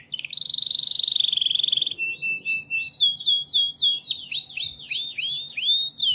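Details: Canary singing, played to train other birds: opens with a rapid buzzy trill held steady for about two seconds, then a run of quick chirps and sweeping whistled notes rising and falling; faint low hum in the background.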